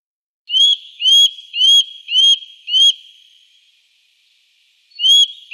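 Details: Eurasian nuthatch from the Wittlich valley, 2018: loud, ringing upslurred whistles repeated roughly every half second, five in a row, a pause, then the series resumes.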